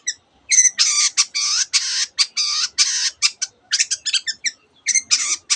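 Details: Long-tailed shrike in vigorous mimicking song, borrowing canary and other bird phrases: loud harsh buzzy blocks alternating with quick high chirps and short trills.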